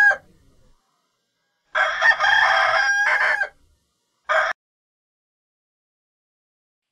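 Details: A rooster gives a full loud crow of nearly two seconds, rich and harmonic with a sustained ending. Short fragments of crowing come before and after, separated by silence.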